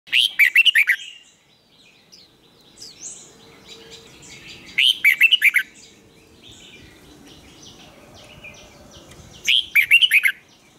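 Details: Red-whiskered bulbul being trained for competition singing, delivering loud bursts of rapid, twisting, warbled notes roughly every four to five seconds, with softer chirps between phrases.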